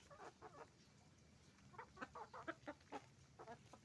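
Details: Noise from roosters and hens at a chicken farm: rapid soft clucks and tonal chirps in clusters, about two per second, against a steady low rumble.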